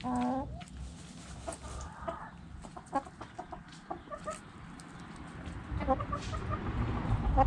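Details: Backyard hen: a loud, harmonic squawk opens, followed by sparse quiet clucks. Quick bright clucks then repeat in small clusters near the middle and end, over a low rumble.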